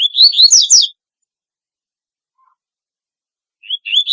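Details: Double-collared seedeater ends one song phrase of rapid, buzzy, descending notes. After a long silence a new phrase begins with rising chirps and is cut off.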